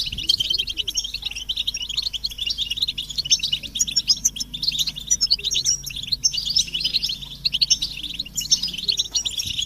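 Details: Many European goldfinches twittering in a stimulation recording meant to provoke male song: thin, rapid, liquid chirps and trills crowd together continuously, with a faint low hum and little other background noise.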